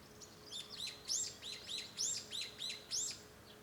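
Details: Japanese bush warbler heard from a home room, 5 May 2013, giving a rapid series of bright, high, downward-sweeping notes, about eight in under four seconds, evenly pulsed and loud against a quiet background.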